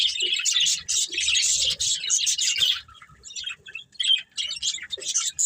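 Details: A breeding pair of budgies chattering: a thick run of high warbles and chirps at first, then sparser separate chirps and squeaks toward the end.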